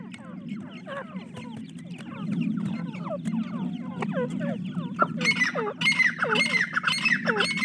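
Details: Teetar, or francolin, chicks give dense runs of short down-slurred peeps over a steady low hum, then louder, shriller calls take over during the final seconds.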